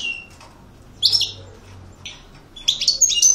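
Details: European goldfinch, an aggressive coupleur singer, giving brief high chirps and a short buzzy twittering phrase after near-silent gaps, with a quiet room background.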